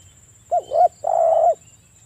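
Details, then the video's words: Spotted dove lure recording meant to provoke a bird in breeding condition into calling: a short, low cooing phrase of two notes, a clipped coo followed by a longer, slightly wavering one, over a faint steady hum. "PANCINGAN TEKUKUR AGAR BUNYI (EJEKAN MENTAL BIRAHI PEMICU BUNYI)"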